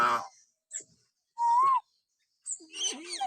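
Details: Common hill myna, natural whistling used to provoke pet mynas into singing: a bright buzzy burst, then a clear rising whistle, then a harsh rasping call with a wavering lower note.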